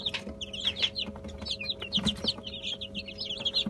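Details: Chicken chicks crowd over mash made from bulgur, boiled egg and olive oil, giving a constant stream of shrill, rising-and-falling cheeps that overlap one another, with a faint steady hum beneath.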